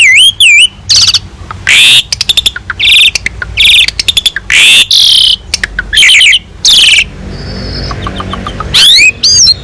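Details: Asian pied starling in lively, full song from a master recording with rich filler phrases meant to tutor other songbirds: loud whistled notes sweeping up and down, harsh buzzy bursts and rapid chattering strings, with brief pauses between phrases.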